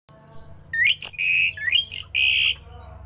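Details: Javan pied starling giving a rare, odd song meant to get other starlings singing: a high thin whistle, then loud rising slurs and long flat whistled notes with harsh bursts, a low steady hum underneath.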